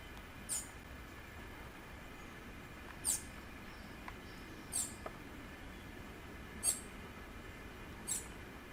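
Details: A bananaquit (Coereba flaveola) calling in nature in Pernambuco, Brazil, gives five thin, very high, brief call notes about two seconds apart over a steady low background hiss.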